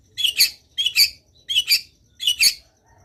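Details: Energetic long-tailed shrike song made of four grating, paired chatter notes spaced roughly three quarters of a second apart.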